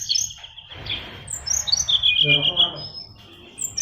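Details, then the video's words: Caged oriental magpie-robin, fighter type, gives high whistled notes and then a fast run of repeated chips. A brief low voice-like sound comes in midway. "SRDC Fighter isian luber"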